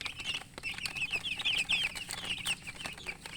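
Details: Young chicken chicks chirp busily, a run of shrill, wavering peeps strung close together in the middle, with sharp clicks and rustle throughout.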